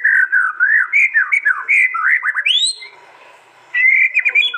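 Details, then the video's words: White-rumped shama from East Java, Indonesia, with a contest-style song recorded on an Android phone: looping, warbled whistles and a bright upward sweep, a brief quiet gap, then quick whistled notes. "Tembakan murai batu paling Ganas di gantangan bikin lawan ciut nyali"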